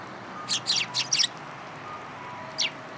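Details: Sparrows following a person to be fed, community hall, 26 February 2023: four loud, high twittering chirps in fast sequence, a pause, then one more sharp chirp over a low background hum.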